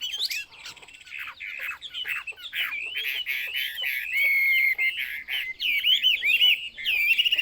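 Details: Chinese hwamei pouring out loud varied song, warbled runs giving way to sustained bright whistled phrases and a long clear held note, then quick chattering flourishes.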